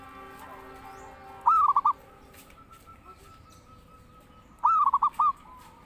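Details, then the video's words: Zebra dove heard singing as a lure for training birds: two cooing phrases about three seconds apart, a rising first note and quick stuttered coos, with faint tonal hum between. "Pancingan Burung Perkutut Gacor"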